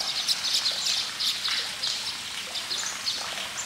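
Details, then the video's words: Baya weaver birds in rapid, overlapping chirps, several quick high notes per second blending into a lively twittering chorus over soft outdoor background noise. "Baya weaver birds sound"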